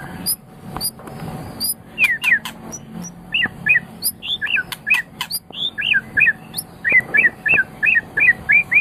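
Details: White-rumped shama song used to train pet birds: sharp high chips at first, then a steady run of short slurred down-up whistled notes about three per second, over a noisy background.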